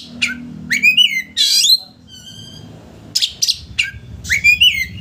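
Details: Oriental magpie-robin in lure song to stir a rival to open its tail: sharp downward-slurred notes, harsh buzzy bursts and a steady whistled tone, in two phrases over low background hum.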